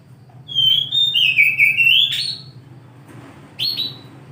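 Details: Morning song of an oriental magpie-robin: one long clear whistled phrase wavering down and back up over about two seconds, a pause, then a short sharp rising whistle, over a soft low background hum.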